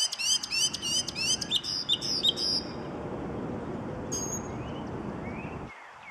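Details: Mockingbird singing from a parking lot in Arlington, Virginia, on an early June weekday evening in 2019: a quick run of bright, repeated chirping notes for about two seconds, followed by steady background rumble with a faint distant call.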